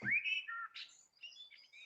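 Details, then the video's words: Common blackbird in the UK in spring sings a short, mellow, deep, wistful whistled phrase that drops in pitch, then ends in a thin, squeaky twitter, opened by a brief low thump; it sings a little, then pauses. "That's the voice of the blackbird."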